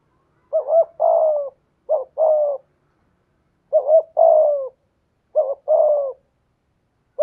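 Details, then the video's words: Paired coos from a decoy spotted dove in 'giọng thổ' voice: four phrases, each a quick rough note followed by a longer mellow coo, spaced by pauses of roughly one to one and a half seconds. "Chim Cu Mồi/ cu gay giong tho cuc dinh"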